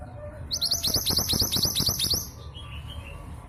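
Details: Female long-tailed sibia, local bird from East Java, used as a lure to make silent males sing: a rapid series of high, thin chirps repeated about twice a second, then softer notes trailing off over steady background hum.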